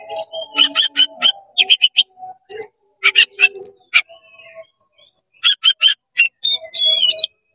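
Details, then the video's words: Energetic 'konslet' song of an oriental magpie-robin, sung to excite other magpie-robins: bursts of rapid harsh chattering notes broken by pauses, ending in thin high whistled slurs. "CEPAT GACOR BUKA EKOR DONGKRAK EMOSI KACER KONSLET BIKIN KACER LAIN PANAS"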